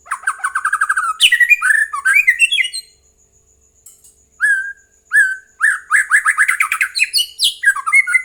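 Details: White-rumped shama lure song intended to set other birds singing: rich whistled phrases, fast trilled runs and rising notes, a short gap, then single clear whistles building back into a lively varied stream.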